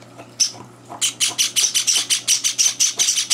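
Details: Java sparrow chicks at feeding time, third day in the home, older birds crashing the meal; after a couple of isolated squeaks, a fast run of shrill rasping cheeps, about five per second.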